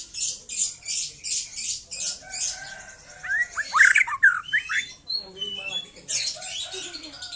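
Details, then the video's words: A young white-rumped shama in trotol song: a steady pulsing buzz fills the opening seconds, then a flurry of loud, slurred whistles and chips bursts out, with quieter notes afterward. "KICAU BURUNG MURAI MUDA LEPAS TROTOL"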